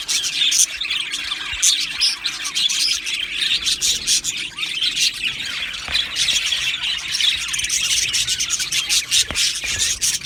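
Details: Budgerigar colony in an aviary giving constant overlapping chirps with a few harsher squawks standing out, such as one near the start, over a steady high twittering background.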